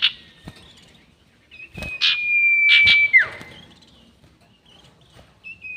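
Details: Sirtu bird call in the long-whistle style, used as a lure for bird trapping. A long, thin, level whistle gives way to a dropping slur, with short buzzy notes and soft clicks around it.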